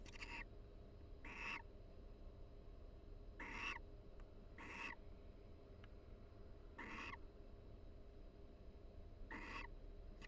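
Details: Barn owl mates chatting in their University of Florida nest box during breeding season, alongside mutual preening; seven brief rasping, hissy notes spaced about one to two seconds apart, with light clicks and low hum.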